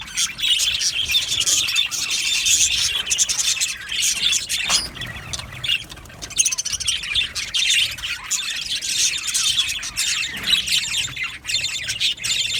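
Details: A flock of budgies gives constant overlapping chirps, squeaks and warbling chatter, rising and falling in loudness throughout, with an occasional sharp tap heard among the birds.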